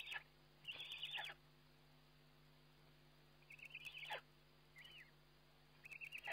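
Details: Eurasian eagle-owl at feeding time, caught by a webcam on 29 May 2011: high, wavering, quavering calls given in separate bursts of about half a second, spread across six seconds, over a steady low electrical hum and faint clicks.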